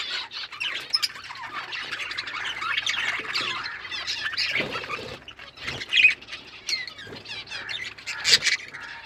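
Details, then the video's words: Pet budgerigars chatter at length: a steady mix of warbled, buzzy chirps and occasional sharp squawks from many birds, with a couple of louder calls near the end. "Birds chirping sounds Beautiful Australian parrots"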